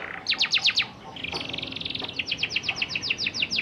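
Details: Canary song played as a lure to teach young canaries the rolling sound: fast repeated high trills, a burst of five sharp notes, a sustained buzzy roll, then a quick run of rhythmic chirps.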